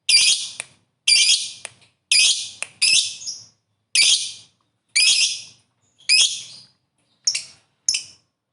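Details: Lovebird giving its "ngekek" trilling song, used to stir up other lovebirds: shrill, harsh high chattering bursts of about half a second, repeated roughly once a second with clean silent gaps between them.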